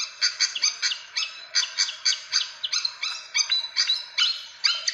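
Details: Fantail lure calls: bright chirps in small quick clusters, repeated about twice a second, with high sharp accents.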